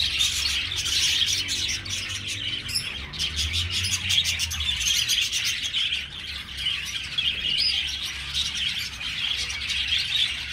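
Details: Colony budgerigars in an aviary give a constant stream of bright chirps and chattering warbles from numerous birds, with a brief low rumble near the middle.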